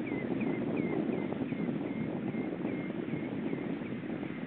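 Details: At Hyljes on 30 April 2014, a common redshank gives a steady series of short, high whistled notes, about two a second, over a strong roar of wind or water.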